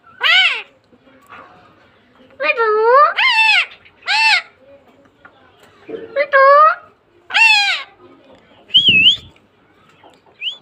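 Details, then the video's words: Green rose-ringed parakeet kept as a pet, talking: harmonic, speech-like squawked phrases in bursts separated by short pauses, ending with a few brief whistled notes. "talking green parrot😍 ..(Mithu parrot)"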